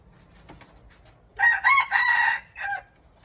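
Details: Junglefowl recorded March 19, 2025, giving a loud, abrupt crow of three joined harsh syllables and a short separated final note, after a few faint clicks and low background murmur.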